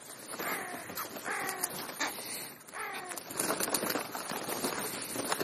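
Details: Crows calling while feeding at a mid-morning snack: three harsh, raspy caws, each a short burst of stacked nasal tones, spaced about a second apart, with steady outdoor background hiss.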